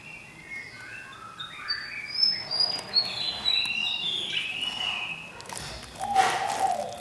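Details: Fantail singing in a spacious cage after a year of captivity: a lively sequence of thin whistles climbing step by step in pitch, then a burst of noise and a lower drawn-out whistled note near the end.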